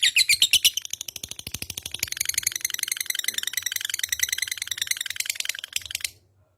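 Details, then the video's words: Lovebird ngekek chatter: loud spaced chirps at first, then a dense, fast trill of high twittering notes that continues for several seconds before stopping abruptly into silence. "burung love bird ngekek panjang gacor"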